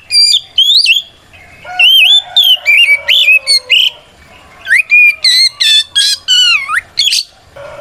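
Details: White-rumped shama singing loudly to challenge rivals into answering; bright whistled notes sliding up and down, interspersed with rattling chips, in short bursts separated by a quiet gap mid-sequence.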